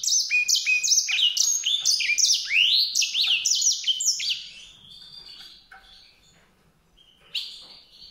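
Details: White-rumped seedeater singing a fast, varied warble of high chirps and sweeping slurred notes, loud and dense for about four seconds, then trailing off into softer, sparser twitters before one last bright note.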